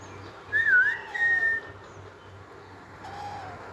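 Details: Green Alexandrine parakeet kept as a talking pet, playing with toys, gives two loud pure whistles: the first wavers down and up, the second is held level, then a faint lower note follows; background hum.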